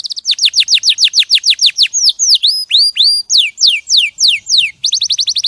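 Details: Clear canary song used for tutoring: steady falling whistled syllables about four per second, then slower curved and rising notes, then a quick run of descending notes.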